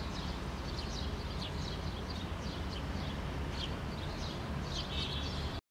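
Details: Adult house sparrow with two fledglings feeding on rocks, Helsinki, Finland, in June 2013; quick sharp chirping notes come in scattered clusters over a constant deep traffic-like drone.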